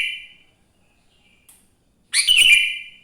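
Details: Sooty-headed bulbul singing in the morning, a lure for other bulbuls: a short whistle trailing off, a pause, then one loud, drawn-out bubbly whistled phrase.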